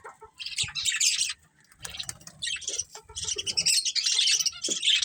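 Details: Breeding pair of budgerigars within a colony, a busy stream of high twittering and scratchy chirps, a few short squawks, the chatter dipping briefly before swelling again.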